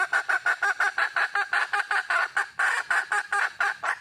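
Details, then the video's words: Red junglefowl hen calling out for a male mate, delivering a continuous loud, harsh clucking series at a fast, even pace, about four notes per second. "le bruit d'une poule sauvage,เสียงไก่ป่าร้องหาถู่หาตัวผู้,ສຽງໄກ່ປ່າຮ້ອງຫາຄູ່ຮັກ, poj qaib qus see"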